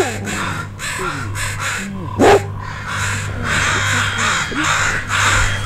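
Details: Crows mobbing a dog that wandered near two juvenile crows learning to fly. The parents are alarmed and a large group joins the attack from the air. Harsh, rasping caws overlap in rapid bursts about twice a second. A steady low hum and a sharp thump mid-way are also heard.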